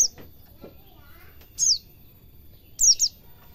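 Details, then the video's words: Recording for teaching caged white-eyes to sing, ngalas cingjuitan: a single steeply falling high whistle, then a fast double of the same note, with soft low clicks early on. "Suara burung pleci belajar ngalas cingjuitan"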